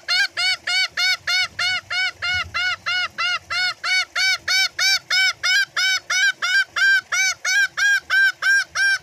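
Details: Green junglefowl giving its ngekek cackling call to summon companions, used as a lure for other green junglefowl: loud, harsh, nasal notes rich in overtones, repeated steadily about three times a second for the whole stretch.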